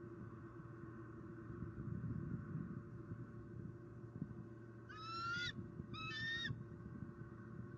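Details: Bald eagle in Southwest Florida, 20 Oct 2019, calling vocally at the nest tree in the afternoon after a squirrel delivery: two brief, high, squeaky chittering calls about a second apart, over low wind and distant traffic rumble.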